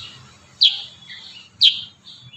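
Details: Kurincang singing in the dense 'tembakan rapat' style, used for song-tutoring: two sharp, loud, high chirps about one second apart, each trailing into a softer high warble, over a faint low hum.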